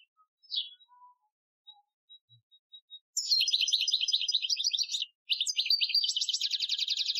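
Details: European goldfinch singing an Algerian-style training song, 2015: a few soft calls and faint notes, then two long runs of rapid, bright, varied twittering trills separated by a brief gap.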